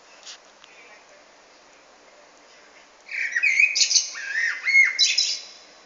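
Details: Common blackbird singing: a quiet pause and then a rich burst of mellow warbled notes that breaks into high, scratchy squeaks and twitters for about two seconds.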